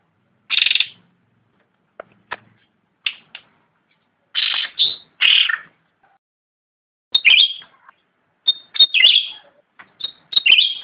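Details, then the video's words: A black-capped bulbul (cucak rante) gives short, bright chattering phrases, high and slightly buzzy, in bursts of about half a second separated by brief pauses. "Suara asli cucak rante / ranting gacor"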